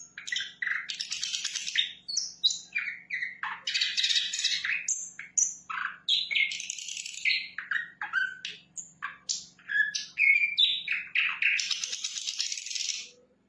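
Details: Long, rich song from a sikatan londo flycatcher in full voice: a dense jumble of chirps, slurs, sharp whistles and harsh buzzy bursts running for over thirteen seconds, with a soft low hum throughout.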